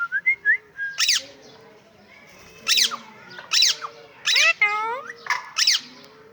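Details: Pet parrot talking: a run of squawky, speech-like phrases with sharp broadband bursts and bent harmonic whistles, several per second in clusters separated by short pauses.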